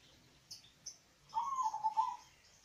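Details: A local zebra dove, used as a lure to prompt reluctant doves to sing along, gives one soft, rolling, quavering coo of about a second after two faint high chirps.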